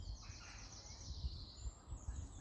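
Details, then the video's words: Blue tit calling up by a nest box in Scotland during a spring dawn chorus: thin, very high drawn-out notes that slide slightly downward, against a steady low rumble of wind. "This box right here. You can hear a blue tit calling up there."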